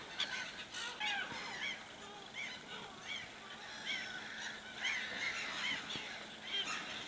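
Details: Wild common ravens near a bear hide in the Suomussalmi wilderness, Finland, during an evening and night: steady series of hoarse, arched calls from several birds, overlapping at times.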